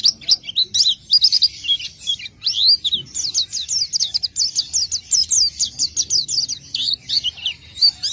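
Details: Energetic gacor isian song of an oriental white-eye: high sharp, upward-flicking notes tumbling in quick succession, forming a long continuous warbling chatter.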